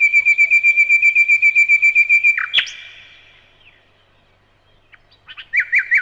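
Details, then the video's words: Fast, even pulsing notes from a nightingale, about eight per second, break off in a sharp downslurred cry; after silence come three quick rising-falling whistles. "Незабываемое Пение соловья"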